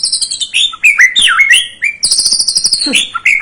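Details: White-rumped shama singing to provoke a young bird: high rattling trills interwoven with rich, swooping whistled notes, delivered loudly and without pause.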